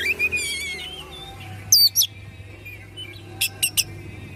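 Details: Oriental magpie-robin in excited song with tail fanned: a fast twittering run, pure high looping whistles, then three crisp clicking notes, over a steady low hum.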